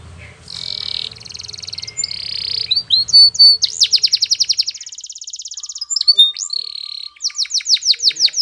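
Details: Spanish Timbrado canary singing for training, opening with a steady high tone and low hum in the background, then fast metallic rolls and repeated sharp downslurred notes.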